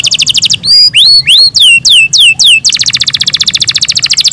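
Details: Kept canary's morning song opens with a rapid high trill, moves into a series of loud whistles swooping upward then sharply down, about three per second, and ends in a long, fast, even rolling trill.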